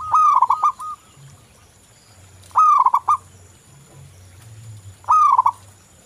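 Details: Local zebra dove, a lure recording meant to get other doves singing: three cooing phrases about two and a half seconds apart, each a clear rising note breaking into quick stuttered coos, over faint low background rumble.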